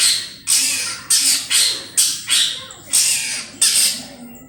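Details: Long-tailed shrike lure recording for trapping, in a lively calling mood: harsh, broad rasping squawks repeated about every half second, each fading quickly.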